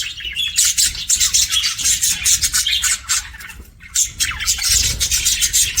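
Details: Pet budgerigars making happy chirping sounds: continuous fast, shrill high chattering and squawky chirps, densely overlapping in rapid pulses, with a low rumbling background.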